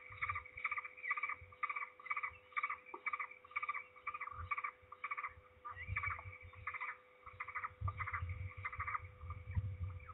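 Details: At Trzebież, 16 May 2019, afternoon: a peregrine falcon comes back noisily to its nest as another falcon flees, giving long runs of grating, chattering notes in rapid bursts, with dull low knocks and rumble in the background.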